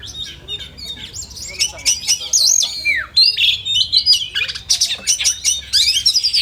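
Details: Kacer, the oriental magpie-robin, in a simulated song contest: busy high-pitched warbling with bent whistles, a drooping note near the middle, then rapid scratchy chatter and quick tweets.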